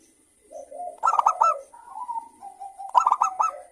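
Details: Local zebra doves singing lively in manggung style in the morning: two bursts of rapid, clipped, ringing coos about two seconds apart, linked by softer, drawn-out, lower cooing, with a faint steady high whine behind.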